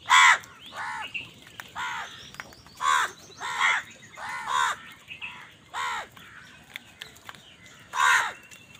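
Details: Crows quarrel over food with a run of about nine harsh, nasal caws, roughly one each second. Some caws are louder and some more distant, and faint higher chirps come between them.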